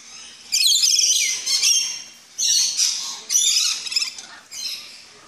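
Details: At feeding time in an aviary at a tropical park in the Netherlands, captive Rainbow Lorikeets give loud, rasping, high-pitched screeches in separate bursts of about a second, split by short quieter gaps.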